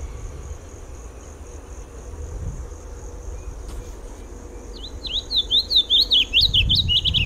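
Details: Sayaca tanager delivering a hurried string of high, squeaky zigzag notes, roughly a dozen in two and a half seconds, after a quiet start with faint low background rumble.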